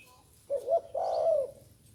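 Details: Inexperienced young spotted dove producing a single two-part coo, a brief wavering note leading into a longer, fuller hoarse coo that trails off, with quiet background hiss.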